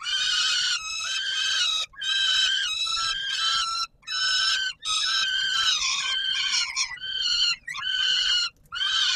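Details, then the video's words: At supper time on the Warsaw Palace of Culture and Science, 17 July 2022, peregrine falcons give loud grating wails, each drawn out for one to two seconds and repeated in quick succession with brief silences. "Sokół wędrowny PKiN Warszawa - Chłopaki wstawać kolacja"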